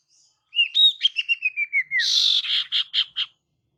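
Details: A female pied fantail calls to attract males: a falling sequence of squeaky whistled chirps that runs into a harsh buzzy rasp and several clipped chattering notes.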